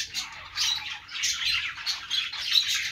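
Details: Budgerigar chirping, a steady wall of overlapping high warbles and short squawks from several birds, swelling in brief bursts about every half second.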